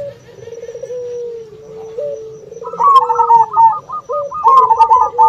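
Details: Zebra dove calling to draw rivals or other doves to answer. Rippling, stuttered high coos in rapid phrases are layered over a drawn-out, lower, wavering coo from another dove (puter) throughout.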